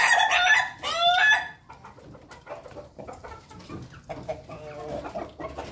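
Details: Ayam Ketawa chickens feeding as a group in the coop: a loud harmonic call with rising and falling notes opens, followed by softer scattered clucks and some background clatter.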